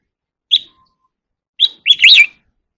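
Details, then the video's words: Oriental magpie-robin in contest singing: a single short chirped note, a long silence, then two more notes running into a quick warbled phrase. "chòe than hót đấu"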